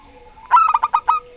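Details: Local zebra dove, Rondo Semoyo type: one short phrase of five punchy cooing notes, the first strongest, in rapid even rhythm.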